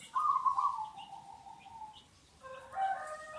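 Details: Zebra dove of a local strain used for luring: a trilled, rolling coo that trails off into a long, falling tone, followed by softer tonal notes from another bird.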